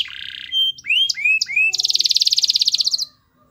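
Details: Canary in full, energetic song, played to coax a reluctant canary into singing: a buzzy harsh burst, then three bright rising whistled sweeps, then a fast, evenly pulsed high trill lasting about a second before stopping abruptly.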